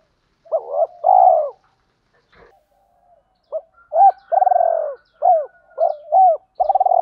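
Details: Training lure from spotted doves of both sexes: a rolling double coo, a quiet pause with a faint click, then a run of clipped and drawn-out purring coos.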